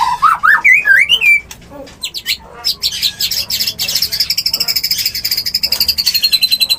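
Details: Mating sound of a white-rumped shama, played to bring a bird into breeding: wavering whistled phrases climbing upward, a pause of scattered notes, then a long, fast, high pulsed trill.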